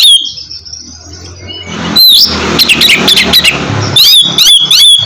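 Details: Oriental magpie-robin song played to prompt a silent bird to sing: sharp rising whistles and rapid chirps over a noisy, humming background, with a clear repeated whistled phrase at the end.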